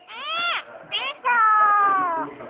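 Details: Clever common myna, remembered fondly, mimicking human speech: three voice-like phrases with rich harmonic tones. A short rising phrase is followed by a brief one, then a long level note of about a second that trails off into soft background noise.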